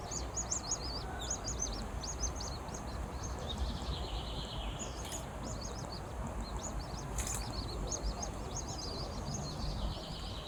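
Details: Ducklings from a duck family give rapid, high, thin peeps. Many short notes overlap in continuous bursts throughout, over a low, steady background hum.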